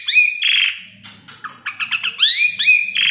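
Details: Asian pied starling (Gracupica contra) belting out loud training song: a long whistled note, harsh buzzy bursts, quick rattling notes, then rising whistles, continuous and dense throughout.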